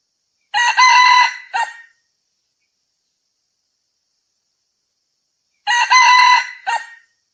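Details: Red junglefowl giving two full crows about five seconds apart. Each is a harsh, harmonic-rich drawn-out note ending in a short clipped tail syllable, with silence between the crows.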